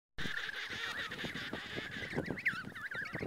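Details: Emperor penguin on the ice near Snow Hill Island, approaching closely, calling with a loud, buzzy, wavering trumpet that rises and falls almost without a break for three seconds, over a low rumble of background noise.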